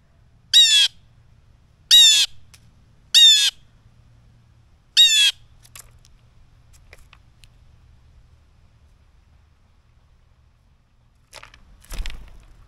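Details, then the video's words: Blue jay screaming in front of the camera before snatching peanuts: four harsh, raspy shrieks, each about half a second long, spaced one to two seconds apart, then a quiet pause ending in a soft thump. "Blue Jay Shrieking"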